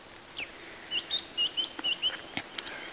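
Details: White-browed Scrub Robin singing in the morning on a July sunrise safari drive near lion cubs, a run of short, clear whistled notes, each a quick high chirp repeated several times a second, over a faint background hiss.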